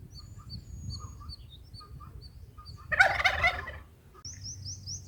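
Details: At a nest on day 4, bulbul nestlings burst into about a second of harsh, frantic chattering when a parent arrives with food, between thin high chirps repeated several times a second.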